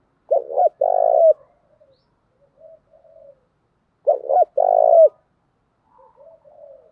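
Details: Female spotted dove decoy, 'thúc gù' and 'gáy gọi' cooing: two deep phrases nearly four seconds apart, each two clipped hoots and a long rough coo, followed by quiet low notes.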